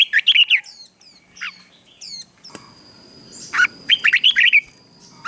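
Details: Red-whiskered bulbul singing during morning training meant to spur a newly caught bird into fiery competitive song: short warbled, rising-and-falling phrases in quick bursts, with high thin chirps from other birds and a steady faint tone between phrases.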